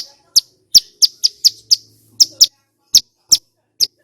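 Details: A male Bar-winged Prinia sings in a loud, clear and lively style, giving a series of about twelve piercing high chips roughly every third of a second, then slowing near the end.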